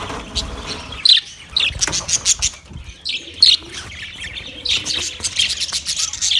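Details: Chirping budgerigars on 9 March 2024: sharp high chirps and short warbles come in spaced bursts about every half second to second, over a quieter low background hum.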